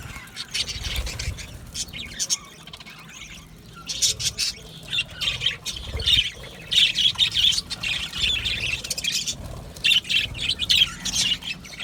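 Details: Colony of budgerigars in an aviary, many birds chattering at once: dense high warbling and squeaky chirps, with louder bursts of overlapping calls from about six seconds on and a faint low rumble underneath.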